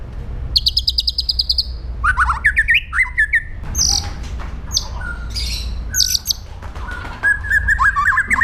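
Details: White-rumped shama in aggressive song used for training other birds: a long buzzy trill, then sharp rising whistles, chips and varied chattering phrases, over constant low-pitched background hum.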